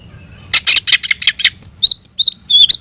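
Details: Oriental magpie-robin singing to challenge a rival to fight: a burst of five harsh buzzy rasping notes followed by a rapid string of high, thin whistled and slurred notes.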